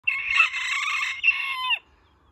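A Dutch bantam rooster gives one bright, high-pitched crow lasting under two seconds, with a brief break and a falling end, and nothing else heard.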